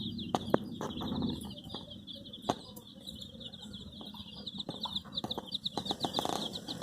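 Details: A group of colour-dyed baby chickens searching for their mother keeps up steady, thin, high-pitched cheeping throughout, punctuated by sharp taps and clicks over a low hum.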